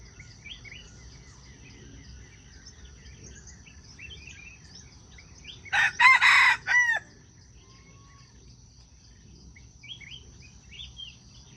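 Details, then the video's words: Crowing junglefowl in a wild chicken trapping setting, the call meant to draw birds in: one harsh, stepped crow of four bursts with a falling final note, surrounded by faint chirps of other small birds. "Wild chicken traps are fascinated by the sound of chickens crowing."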